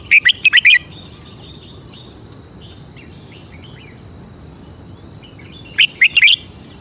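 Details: Caged red-whiskered bulbul performing its signature song: a fast run of four ringing whistled notes opens the stretch, and a matching phrase returns about five seconds later, with a steady high hum and soft distant chirps between.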